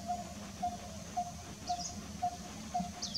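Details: Coppersmith barbet perched in a very small tree in Kanha National Park, Madhya Pradesh, India, in February 2023, giving a steady series of hollow, low 'tuk' notes, about two per second; brief high chirps from another bird and a low background rumble.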